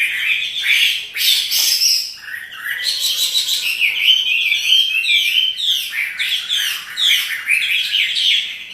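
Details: Chinese hwamei, a caged songbird shown dancing as it sings energetically, delivers loud warbling with sharp downslurred whistles, harsh chattering bursts and quick repeated phrases.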